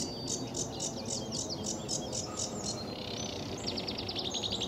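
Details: Sedge warbler at RSPB Fowlmere on a sunny July 2013 morning: a string of harsh, quick high chirps, a short pause, then a faster burst of thin, sharp notes, over a rumbling background.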